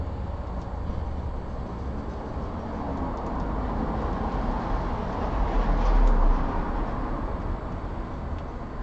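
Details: Low rumbling traffic or train noise swells to a peak around six seconds and then eases, with no animal calls.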